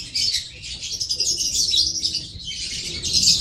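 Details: Lovebird giving dense, continuous high-pitched squeaky chatter and chirps, harsh and overlapping, with no clear pauses across the short recording.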